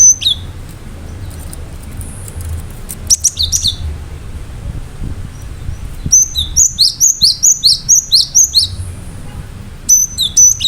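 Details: Cinereous tit in continuous full song, meant to prompt other birds to sing along: scattered sharp whistles, then a long rhythmic series of repeated high two-part notes, roughly two per second, before a final burst.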